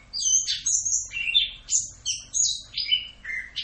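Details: Orange-headed thrush in a full 'Rock'n Roll' style tutor song for training songbirds: a rapid string of high whistled and slurred notes, each dropping or jumping in pitch, about two per second, with varied phrases and no other sounds.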